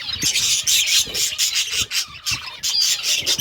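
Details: Pet budgerigars chirping while eating green food: a dense, continuous chatter of high, scratchy warbles and quick tweets from several birds overlapping, with brief soft pauses and faint low knocks underneath.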